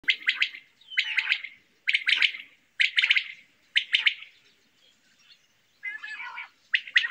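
Quail giving short, buzzy, chattering bursts of rapid clicks, repeated roughly once a second with a brief pause before the last two bursts.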